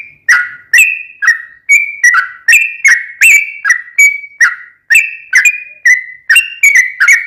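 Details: Sooty-headed bulbul pouring out a continuous string of short, liquid whistled notes, each slurring up or down, about two per second. Played as a lure to get another bulbul to respond.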